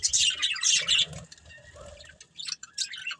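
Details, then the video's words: Short bursts of high, squeaky budgerigar chirps from a breeding pair, separated by quieter mid-pitched murmuring and soft rustles, then two more sharp chirps near the end. "Cute Budgies Chirping Sounds"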